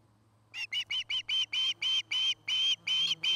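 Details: Osprey pair nesting near treetops in Charlo, Montana, on 09-08-2018, nest camera: quiet start, then a quickening series of shrill whistled notes that grow louder and longer, roughly three per second.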